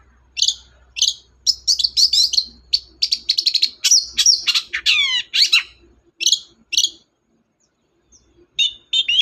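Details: Long-tailed shrike in chatty song meant to stir up a silent shrike: fast, scratchy chattering with bright chips and falling sweeps, ending in a short pause before more notes, over a faint low hum.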